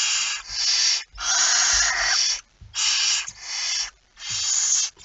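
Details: Night recording at 01:49 on 17 September 2019 of a barn owl with a mouse: loud, rough, snoring hisses come about once a second, one with a harsher screechy core, with soft thumps between.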